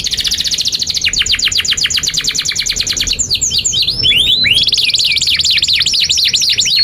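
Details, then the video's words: Canary singing a long song for tutoring young birds: a rapid high rattle, then a slower series of clipped notes, a burst of downward-sweeping whistles, and another fast repeated trill. "SUARA 19a Kenari GACOR PANJANG INI Cocok untuk Masteran KENARI PAUD dan Kenari Macet"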